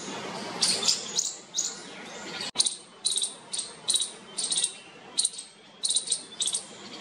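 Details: Baby bulbul chicks in a nest inside a parking shed near people, cheeping and chirping to win their mother's attention and be fed; thin, very high cheeps come in quick bursts every half second or so over a low, steady background hum.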